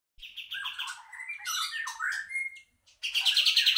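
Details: Kapas tembak bulbul song used as a lure to attract birds: fast chattering trills and buzzy notes, a slurred rising whistle, then a dense high trill after a short pause.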